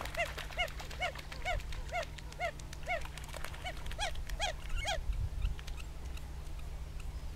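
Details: Fighting red-gartered coots (Fulica armillata) on Laguna Nímez lagoon, El Calafate, Argentine Patagonia, giving a steady series of short, arched, honking notes with rich overtones, roughly two to three per second, over a low background hum.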